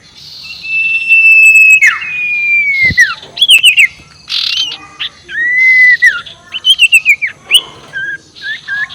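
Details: Ngekek call of a sirtu (ashy tailorbird), played to anger rival birds: a long steady high whistle dropping at its end, then hissy bursts and quick looping high notes, closing with a rapid run of repeated chips.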